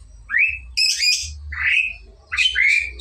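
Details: Lovebird learning the ngekek trill: short rising squeaky whistles alternate with harsher broadband chirps, four or five notes in quick succession over a steady low hum.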